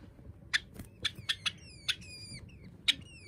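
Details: Pet Java sparrow indoors, playing hide-and-seek with its owner: sharp short chips scattered through the moment, several with thin descending whistled tails, over a low room hum.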